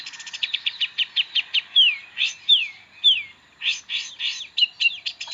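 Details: Long-tailed shrike singing a varied song, used as master material for training magpie robins: a fast series of short chirps, then three clear descending slurred whistles, followed by mixed rapid notes.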